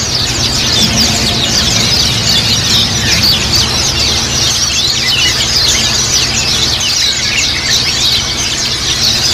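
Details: Group of white-eyes, Japanese white-eye, singing together to prompt kept birds into rapid chattering; high, busy overlapping twitters without pause, occasional thin drawn-out whistles, low mains-like hum beneath.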